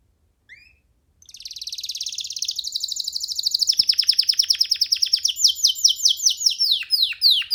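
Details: Young canary singing freely on a hand: a brief faint note, then a long buzzy high trill that quickens into a rapid chattering roll and finishes in louder falling sweeps.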